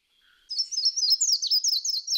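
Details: Slate-throated redstart in Fraijanes, San Isidro, Alajuela, Costa Rica, giving a fast, high, thin run of slurred chips and twitters, about five notes a second, with no other sounds.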